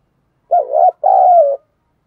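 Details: Decoy spotted dove calling to lure wild doves: a single two-part coo, a short wavering note, a brief gap, then a longer, steady note that slides slightly down. The background is clean and silent.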